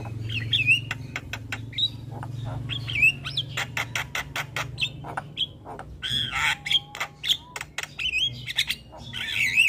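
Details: Javan myna in constant chatter: many short, harsh clicking and rasping bursts in quick irregular series, broken by looping whistled notes and squawks, steady low hum in the background.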